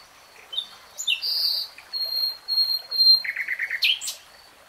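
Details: Brief common nightingale phrase: a sustained whistle, thin high notes, then a quick stuttering series of five or six repeated lower notes ending in a sharp upward flourish.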